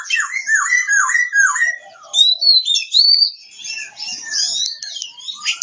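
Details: Oriental magpie-robin (kacer) from Kebumen, Central Java: four loud, downslurred whistles in a row, followed by high, sweet rising whistles and a rapid twittering finish.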